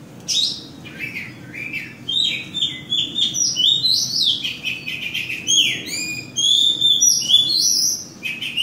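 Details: Oriental magpie-robin singing at Kota Kemuning, Selangor, Malaysia, 2017: a continuous, richly varied stream of sweet high whistles, rising and falling slurs and quick chirps, with hardly any gaps.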